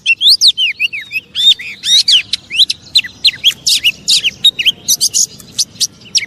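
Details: Oriental magpie-robin singing, a song used to provoke other magpie-robins into anger: a fast, loud run of varied whistled slurs and sharp chirps, many notes bending up and down, with buzzy bursts toward the end.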